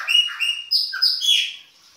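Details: Short baianinho-style winter phrase from a Chopi blackbird: loud, ringing whistled notes stepping up and down, with a brief lower note in the middle, ending abruptly.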